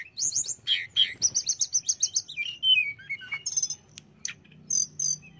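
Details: Song of a hill blue flycatcher used to provoke rival birds: quick high chips lead into a fast pulsed trill, then descending whistled slurs and brief buzzy bursts.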